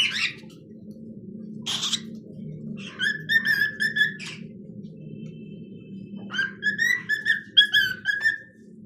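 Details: Pet cockatiel singing in a home, a few short scratchy notes, then two warbled phrases with a steady whistled tone running between them, over a constant low background hum.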